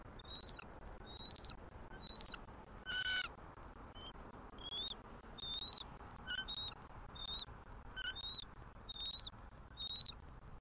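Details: Wild bald eagle pair at a Southwest Florida nest, 6 December 2023, exchanging morning greeting vocals at an incubation changeover: thin, squeaky, high whistled chirps repeated in short bursts about once a second, with one louder harsher cry near three seconds.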